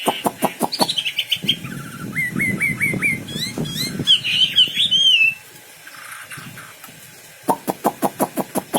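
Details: Wambi bird song of quick rising whistled notes and squeaky twists, framed by bursts of rapid sharp clicking before and after a quiet pause.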